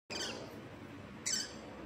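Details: A Pacific parrotlet mimics speech on its 73rd day, saying two short, thin, raspy utterances about a second apart, imitating the Chinese words for "go home" (回家), with a quiet room behind.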